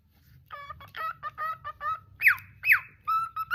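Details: Pet cockatiel singing: a quick run of rich, harmonic whistled notes about twice a second, then two loud sweeping whistles that swoop up and down, ending in steady clear whistled tones.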